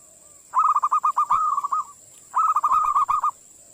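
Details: Zebra dove calling to attract other birds: two fast trills of clipped, slightly descending cooing notes, each lasting about a second, over a constant high-pitched electrical whine.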